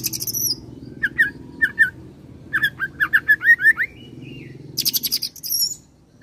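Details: Oriental magpie-robin song with cililin and serindit imitations, opening and closing with high buzzy bursts, between them spaced clicks and an accelerating string of short rising chirps.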